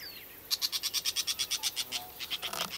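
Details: Brown shrike, 7 August 2011: a dry, grating run of about fifteen rapid harsh notes delivered steadily over two seconds, ending in a burst of rustling noise, with a soft background hiss throughout.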